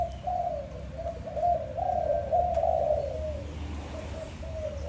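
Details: Morning cooing of a dove, low mellow notes run together in long wavering phrases, with short breaks between, over a faint low hum.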